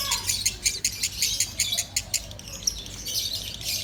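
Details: Loud lovebird song used for training other birds: rapid high chirps repeated about three times a second in the first half, growing blurred and noisy later, with a faint low whistle from another bird at the start.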